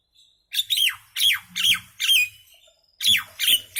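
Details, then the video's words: Little common myna making noise: loud squawking notes in two bursts, each note a harsh, descending screech with a buzzy edge, five in quick succession, then a pause and three more. "Mynah Bird (Acridotheres tristis), Little Mynah Bird making Noise"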